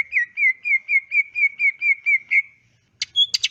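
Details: Greater green leafbird, meant as training song for caged birds: a steady series of about ten matching short whistled notes at one pitch, followed by a couple of sharp chip notes.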